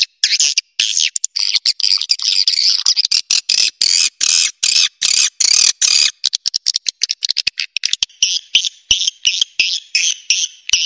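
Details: Swiftlet lure call used to attract swiftlets: dense, rapid chattering clicks and buzzy bursts, mostly high-pitched, broken into fast irregular pulses, with a steadier run of evenly spaced buzzy notes near the end.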